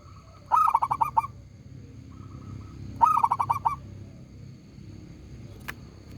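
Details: Local zebra dove singing with a big, loud voice: two cooing phrases about two and a half seconds apart, each a quick run of six or seven throaty pulsed notes, over a low steady hum and a faint click near the end.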